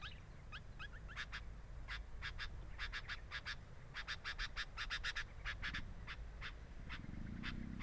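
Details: Sooty-headed bulbul at the nest, caught by a nest camera: a few rising squeaky notes open, then spaced series of brief harsh pulses come in clusters, over continuous low background rumble.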